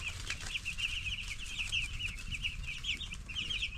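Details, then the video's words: Broiler chicks aged ten days, several birds cheeping constantly in rapid high chirps that overlap into a continuous twittering stream, with background rustling and a low rumble. "10 Days Old Baby Chicks #babychickschirping"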